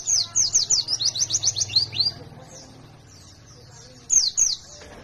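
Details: Fighter white-eye, ngalas type, in full song: two-second burst of fast high downslurred chirps over a low hum, a quiet gap, then a short final flurry of chirps.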